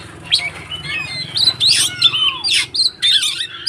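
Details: White-rumped shama fighting song aimed at provoking other shamas: harsh buzzy bursts mixed with short whistled slurs, heard against a faint low hum.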